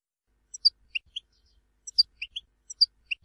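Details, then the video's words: European goldfinch from Tizi Ouzou, Algeria: thin, high chirping notes in short clusters, repeated three times at regular intervals. "Chant chardonneret tizi ouzou تغريد حسون تيزي وزو"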